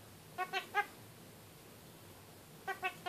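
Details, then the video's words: A pet kakariki in its cage gives two groups of three short, nasal, harmonic notes in quick succession, with a pause of about two seconds between the groups. "Kakariki talking"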